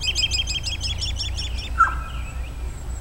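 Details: American robin recorded at Woodlawn, Tennessee, on 13 March 2008: a fast run of high, clipped chirping notes repeated about every tenth of a second, then a single lower whistled note, over steady low rumbling background noise.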